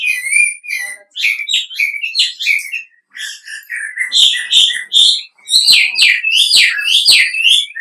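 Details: Wambi lure call meant to draw replies from other wambi: a fast, lively run of short whistled and chattering notes. It starts thin and high, then grows louder and busier with sharp clicking accents in the second half.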